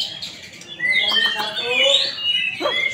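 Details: Contest white-rumped shama, an Indonesian first-place winner at a practice competition, delivering rich whistled song with rising and falling slurred notes, building after a quieter start, over background chatter and other birds.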